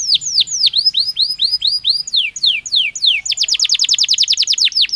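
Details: Belgian canary song, sung naturally: slower descending whistled sweeps at first, then a sudden switch to a quick, tight trill of high notes after about three seconds.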